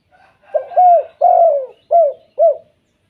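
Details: Kept spotted dove in the "kuk 2" calling style, a call said to set other spotted doves calling: a four-note hollow coo, two short notes, a longer falling middle note, then two clipped notes, clean and close.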